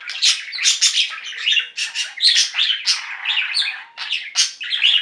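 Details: Dense, loud chattering from a singing flock of pet budgerigars: overlapping squeaky chirps and buzzy warbles pulse in quick bursts throughout.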